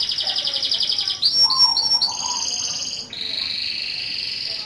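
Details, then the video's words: Champion canary singing loudly: long high rolled trills held steadily, abruptly switching to different pitches, with a lower warbled phrase between them and quick shifts between tour styles. "KUMPULAN SUARA KENARI GACOR BERBAGAI VARIASI DAN GAYA !"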